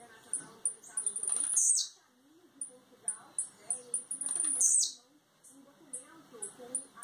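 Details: Blue-black grassquit coming out of molt, Campos dos Goytacazes, Rio de Janeiro, Brazil, delivering two songs about three seconds apart. Each is a quickening string of thin high notes ending in a buzzy downward-sweeping flourish. Faint low background noise.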